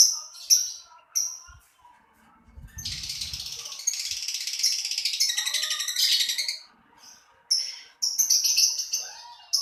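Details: A lovebird chirps shrilly, then gives a long harsh buzzing chatter lasting several seconds before returning to quick high squeaks, with faint low thumps early on.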